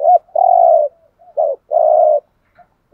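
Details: Spotted dove serving as a decoy, calling with soft hollow coos: brief note, long even coo, repeated, with faint quiet notes in between and a silent background.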